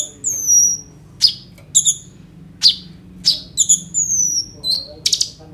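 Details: Sunbird known as kolibri ninja, phone recording of its phrase-filled song: long thin falling whistles alternate with short sharp high clicks and chips, spaced irregularly.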